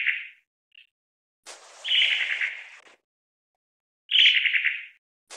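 Long-tailed tit giving two dry, buzzy rattling churrs of under a second each, a couple of seconds apart, with a few short thin notes between.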